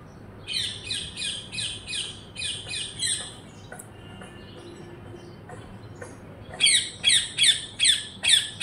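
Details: Repeated harsh parrot squawks in an even series, a lull with faint clicks and a soft tone, then another loud run of six rasping shrieks.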